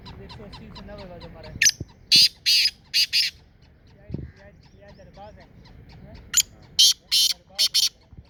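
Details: Two grating call phrases of a black francolin in Sindh, Pakistan, each opening with a short note and running into several rasping, buzzy bursts, separated by about four seconds of quieter bird chatter.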